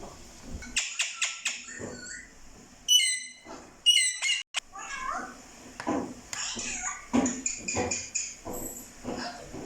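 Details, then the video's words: Parrots talking, with rapid clicky chirps and harsh, speech-like syllables in quick bursts over a steady high hiss, then a run of varied squawky notes. "Parrots Talking : Natural Sound"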